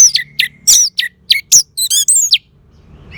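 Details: Orange-headed thrush (anis merah), Geokichla citrina, singing for caged-bird therapy: a rapid sequence of varied high notes, sharp downslurred whistles, buzzy chirps and wavering trills, then quiet.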